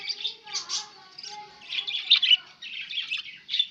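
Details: Budgerigars kept as pets, recorded 11 October 2016: continuous fast warble of scratchy chirps and thin whistled squeaks, with a faint low tonal hum beneath.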